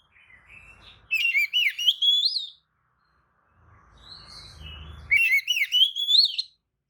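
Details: Oriental magpie-robin singing lure phrases meant to make other magpie-robins answer, agitated and opening their tails: two loud, rich whistled phrases sweeping upward in slurred steps, separated by a gap of faint low rumbling noise.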